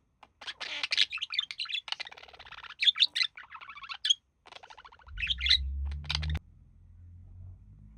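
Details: Male budgerigar mimicking human speech while relaxing with its mate; loud, fast chirping warble of buzzy and whistled notes, stopping at six seconds, low hum underneath.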